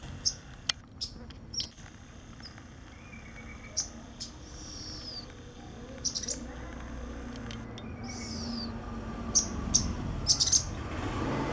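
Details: Sunbird giving sharp, high, clipped chirps in loose bursts, with some rapid chattering notes near the end, over a low steady background noise.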